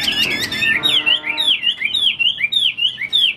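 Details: Chinese hwamei kept in a cage, showing its wings, singing lively rolling whistles: quick slurred phrases repeated nearly twice a second, rich and clear over a quiet background.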